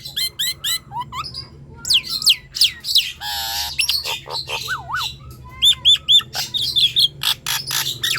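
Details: Energetic Nias hill myna singing, meant to lure quiet birds into song: quick mix of pure whistles, bouncing wavering notes, raspy squawks and sharp clicks, busy and irregular, over faint low background hum.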